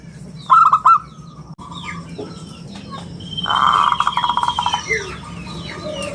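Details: Zebra dove of a local strain, singing in the round crystal style kept for luring and training other doves: one brief burst of rapid coos early, then a loud buzzy trill from another bird.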